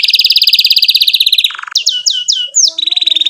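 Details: Canary singing a long lively song, styled cuit cuit with rolling ngerol trills, played to prompt young canaries to learn. A rapid, even high trill runs for a second and a half, then a buzzy low burst and repeated downslurred whistles end in a steady trill.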